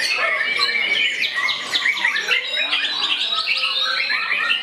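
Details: White-rumped shama aggressively confronting a rival, pouring out rapid, rich whistled notes and sharp chirps, with tightly packed phrases that rise and fall without break.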